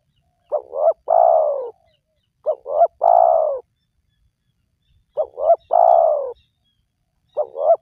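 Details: Spotted dove calling, played as a lure for wild doves: a steady series of phrases, two short notes then a long hoarse coo, about every two seconds, ending on the start of another phrase.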